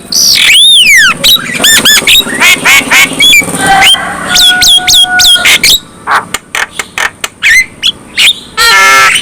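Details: Black-winged myna singing in a way said to spur other black-winged mynas to sing: a long arched whistle, then rapid harsh notes, repeated falling whistles and raspy squawks.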